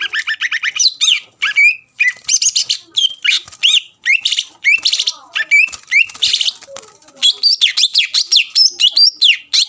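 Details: Greater green leafbird in lively full song used to provoke rival birds into answering: fast, varied bursts of sharp chirps, slurred whistles and rising and falling notes, with brief pauses between phrases.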